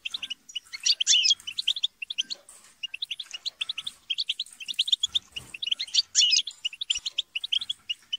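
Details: Group of captive European goldfinches in chatter and quarrelling, played to stimulate song: continuous rapid tinkling twitter with louder harsh bursts and brief gaps.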